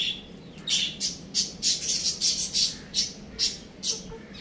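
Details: Chicks and young roosters playing at home produce a rapid string of piercing high chirps, around a dozen sharp notes in four and a half seconds, loud and close, with a low hum beneath.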